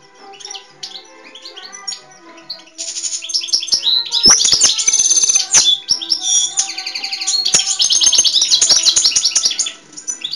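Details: European goldfinch from Pogradec singing a fast, twittering, tinkling song of high chirps and buzzy trills in bursts, over steady background music.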